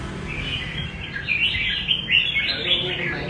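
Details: Red-whiskered bulbul in rê cầu style song, a brief, lively warble of slurred whistled notes growing louder toward the end, over soft background noise.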